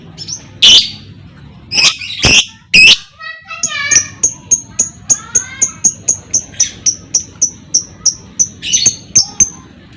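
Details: Lovebird ngekek, opening with a few loud harsh screeches, then a fast regular run of short high clipped notes, roughly four a second, over soft background noise.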